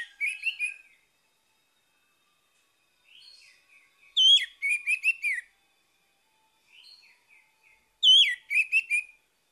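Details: Orange-headed thrush morning song meant to prompt a stalled bird to sing: three phrases of bright, rapid warbling, each opening softly and rising into loud, varied whistled notes, separated by short pauses.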